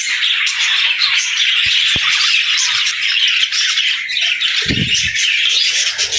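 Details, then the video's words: Budgerigar flock singing in a busy stream of high chirps, squawks and scratchy trills, broken by a sharp click early on and a low thump later. "Budgie Talking | Parakeet Singing"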